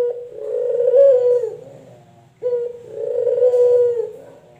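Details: Male collared dove (puter), from a comparison of local and white varieties, giving two deep, hollow cooing phrases of about two seconds each. Each starts abruptly, holds a steady low pitch, swells, then fades, with a short gap between phrases.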